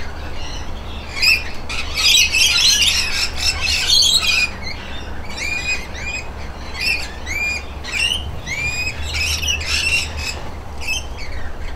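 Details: A dense squabbling burst of overlapping shrieks from bathing rainbow lorikeets, then rapid chattering screeches with upturned notes continue irregularly; a faint low hum and possible wing flutter in the background.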